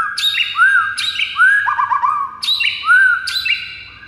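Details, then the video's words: A white-rumped shama's lure song for rousing quiet rivals: four rich phrases in steady succession, each a high sharp note followed by lower arched, fluty whistles. "99% AMPUH pikat Murai batu lawan yang MACET jadi NGAMUK"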